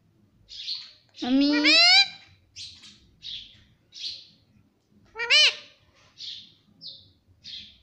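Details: Mitthu, a pet parrot talking and reportedly saying mummy and papa, gives two strong rising-falling voiced phrases, the first longer and wavering, separated by a string of soft, hissy high chirps.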